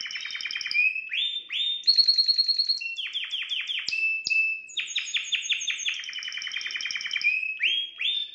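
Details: Male canary-style song for stimulating a female, loud and varied: chains of rapid repeated rising notes, bright trills and whistled tours changing every second or so, sung continuously.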